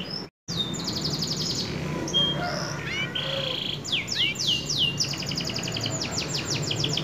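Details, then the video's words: Singing F1 canary, described as an energetic, persistent singer suited as a model for training other birds: varied high song with pure whistles, buzzy notes, sweeping slurs and fast repeated trills, over steady background hiss. "kenari f1sf gacor ngotot cocok untuk masteran"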